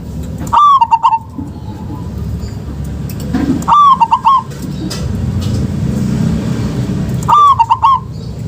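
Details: Local zebra dove song used as a lure to get sluggish or silent doves singing: three cooing phrases, each a strong opening note followed by a quick run of short rolling notes, spaced about three seconds apart over low background rumble.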